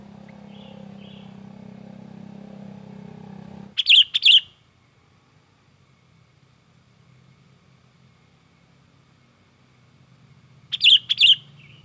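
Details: Sooty-headed bulbul, in agitated full song used as a lure for trapping and provoking other bulbuls: two bursts of sharp, paired chirping notes several seconds apart, separated by quiet with a low steady hum.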